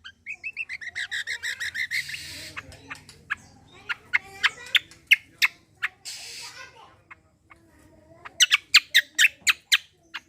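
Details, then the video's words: Cucak kombo in full gacor song with 'tembakan besetan' bursts. A run of rapid, evenly spaced high notes leads into scratchy harsh phrases, then scattered sharp chips and a final burst of quick high trills. "KECIAL KOMBO CUCAK KOMBO GACOR FULL TEMBAKAN BESETAN || UNTUK PANCINGAN BUNYI BURUNG BAHAN"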